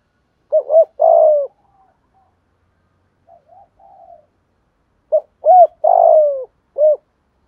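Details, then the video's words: Spotted dove giving 'thúc gù' urging coos to draw wild and decoy doves into cooing: a pair of quick hoots and a sliding coo, faint murmurs, then a short note, two hoots, a long downward coo and a last hoot. "Tiếng cu gáy THÚC GÙ ( bài bản ) giọng hạp bổi, nghe rất nhanh nổi"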